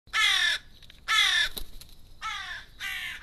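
A crow gives four harsh, nasal caws, each about half a second long, spaced roughly a second apart, the last two slightly weaker.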